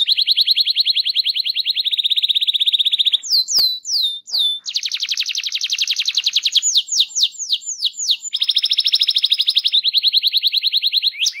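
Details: Canary rolling song used to prompt other canaries to sing: long rapid buzzy trills, a few quick descending sweeps, then more even rolling trills without pause.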